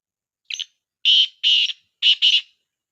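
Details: Black francolin calling to make other partridges answer: a rhythmic harsh phrase of five grating notes, a short first note followed by two longer pairs, in otherwise complete silence.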